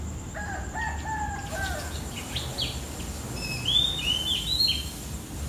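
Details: Clear, sweet whistled phrases of an Oriental magpie-robin, which sings daily, rise and slur through the second half after a rooster crows loudly at the start, in early morning between 4 and 5 a.m.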